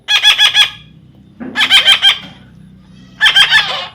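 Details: Baby parrot being tamed by its owner gives three bursts of harsh, buzzy, rapidly pulsed squawks, each about half a second long, separated by short pauses, against a quiet background.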